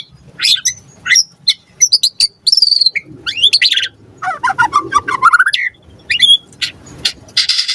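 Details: Lure song of a lively white-rumped shama meant to draw a quick reply: fast varied phrases of high whistles, chips and rising slurs, with a buzzy rasp near the end.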